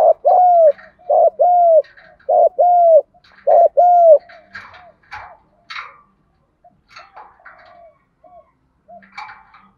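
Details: Spotted dove calling to lure and stimulate other doves: four loud paired coos in quick succession, short note plus longer hoot each, then quieter scattered coos and chirps.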